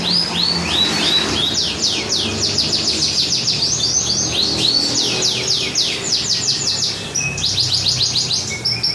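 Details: Canary singing in bird-hobby competition style in Java's Pantura area, Indonesia, delivering rapid rolling series of high descending whistled notes, some runs faster and buzzier, over constant low-pitched background noise.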